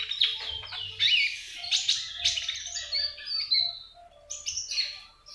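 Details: Kept common iora singing in trotolan style, a song used to stimulate other birds to sing; bright, high chattering phrases with quick sweeping whistles and short trills, broken by brief pauses, with a faint low hum beneath.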